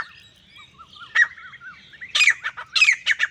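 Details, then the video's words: Soft whistled notes from other birds at first, then a solitary male grey francolin breaks in with loud, harsh, repeated screechy calls. "Akely Nar Teetar ki Saaf or Full Sound | Awaz Only Male Partridge Sound | Grey Francolin Voice"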